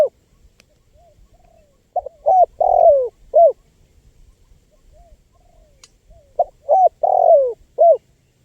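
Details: Spotted dove calling, used to draw in wild birds. Faint soft coos lead into two loud four-note phrases, each ending in a long falling coo and a short coo. Light background rustling.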